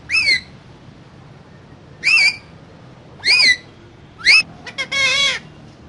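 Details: Parrot calling with clear, whistled, downward-curving notes repeated roughly every two seconds, ending in a quick double click and a longer buzzy, nasal note.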